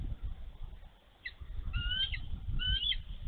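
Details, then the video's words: Mother bald eagle defending her egg at a Minnesota nest, snowy March 11, 2023, as a young eagle comes too close: a few sharp notes, then two drawn-out, slightly rising whistled squeals, against gusty wind noise. "Eagles ~ Mom in defense of her egg!"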